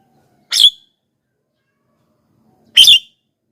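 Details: Javan myna calling to attract wild mynas: two loud, rasping chack notes about two seconds apart, with silence between.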